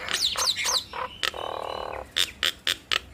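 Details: Two Nias hill mynas in duet: quick descending whistled slurs, a short harsh rasp, then sharp single chirps spaced about every quarter second.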